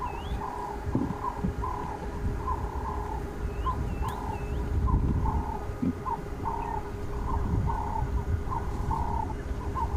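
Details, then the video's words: A ring-necked dove calls nearby on an October 22 sunrise safari drive, next to an elephant bull: short, hoarse cooing notes in a steady run, with faint rising whistles from another bird over a low rumble of wind. "You can probably also hear the ring-necked dove calling just to the side."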